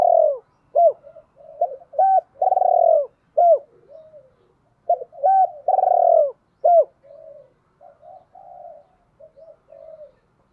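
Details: Spotted dove, a decoy bird calling to attract females, gives repeated phrases of short arched coos and long trembling drawn-out coos, with softer low coos between phrases, close and clean with no other sounds.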